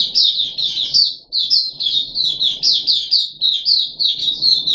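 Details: Puff-backed bulbul kept in a cage, recorded 14 July 2021 on the third day of deworming, giving a steady chain of bright, slurred high chirps, each about half a second long, over faint room noise.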